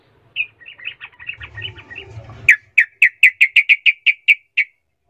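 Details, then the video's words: Sooty-headed bulbul singing to provoke rivals into answering: a soft, rambling warble over low rumbling noise, then a burst of about twelve loud, evenly spaced chirping notes, roughly five per second. "pancingan trucukan Rol mengejek Lawan bikin trucukan lain seketika langsung Nyaut Buka suara"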